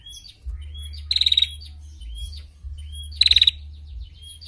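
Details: Female prinia recorded to tutor other birds, giving two short fast rattling trills about two seconds apart, with soft whistled notes between them and a low continuous hum.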